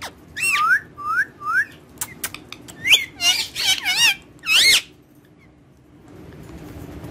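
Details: Pet Indian ringneck parakeets playing on a table: a string of loud whistled squawks, each sliding up then down, some in quick pairs, mixed with scuffling and flapping noises, then a quieter stretch of background hiss.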